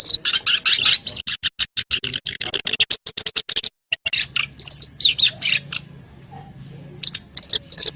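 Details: Black-browed reed warbler lure sound for trapping: a rapid string of sharp clicking chirps, a brief silence, then looser squeaky warbled phrases with short high whistles.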